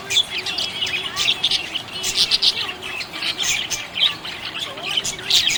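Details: Happy budgerigars chirping and squawking, sharp high chirps and harsher squeaky bursts mixed into a constant twittering chatter.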